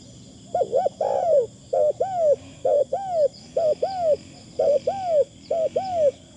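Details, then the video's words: A spotted dove used as a Thai decoy coos in repeated two-part phrases: a short note followed by a longer arched one. The phrases come in a regular series, with a constant high-pitched hum in the background. "ต่อนกเขาใหญ่ เสียงดีมากคารมบางๆฟังแล้วเพลิน"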